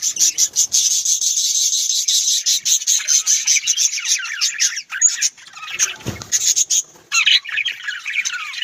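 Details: A flock of budgerigars, described as Australian parrots, keeps up rapid pulsed chattering that breaks into looser descending warbles. A short low thump comes near the middle.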